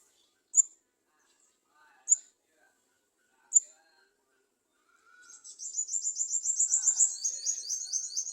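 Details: Garden sunbird at a nest, adults standing below it trying to feed their young. Three sharp, very high chips about 1.5 seconds apart, then a fast, rattling high trill that builds and runs on for about three seconds.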